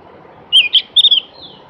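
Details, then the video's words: Javan grey-throated white-eye, known locally as opior jawa or cak gentong, giving a short sweet phrase of high, clear whistled notes: one slurred note, a quick rising-falling note, then a rapid trill of three notes, over faint background hiss. "kicoan merdu burung Opior jawa atau cak gentong"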